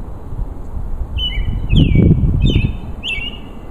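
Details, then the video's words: Male robin singing hard to attract a mate: short, thin, sliding whistled phrases, some falling, in quick succession over a steady low rumble of wind or background noise. "Robin singing his heart out"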